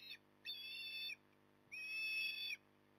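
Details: Port Lincoln osprey at the nest, 9 October 2020, 08:23, gives two long, loud, strained whistled cries with a brief clipped note before them, pitch holding level and slightly rising, over a low continuous hum.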